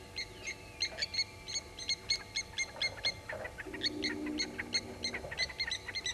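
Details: Blacksmith lapwings at Gowrie dam waterhole, Djuma Game Reserve, Sabi Sand, South Africa, mobbing an African harrier hawk in the morning; sharp metallic clinking notes repeated rapidly in bursts, with a lower droning hum underneath.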